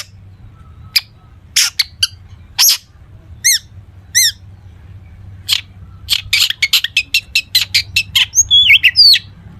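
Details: Long-tailed shrike in lively song full of imitated fill-in phrases, used to prompt other shrikes to sing back: scattered sharp chirps, a run of rapid chevron-shaped notes, then dense quick squeaks and a twisting whistle, with low hum behind.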